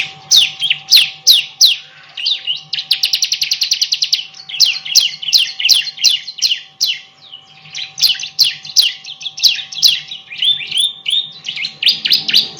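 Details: Training song for other songbirds from a bar-winged prinia: irregular runs of shrill, clipped chirps, including a very rapid trill-like stretch, alternating with slower spaced notes over a faint steady hum.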